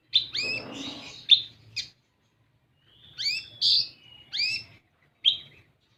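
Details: Kolibri ninja, or olive-backed sunbird, on a lure track meant to prompt untrained birds: a quick cluster of chirps with some rustling, a pause of over a second, then several more sharp whistled chirps.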